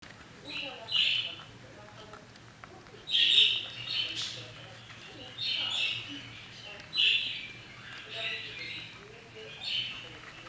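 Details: Budgerigar chicks aged 11 to 21 days, on breeding day 24: raspy, hissing bursts of noisy calling rise every two to three seconds between quieter stretches, over a steady low hum.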